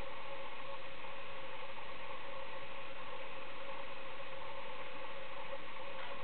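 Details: A steady idling engine hum with a constant mid-pitched drone continues throughout, and no animal calls are heard.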